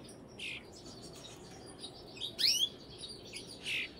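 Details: A Brambling gives a few separate high calls, including a sharp rising sweep in the middle and softer husky notes before and after, against a quiet background.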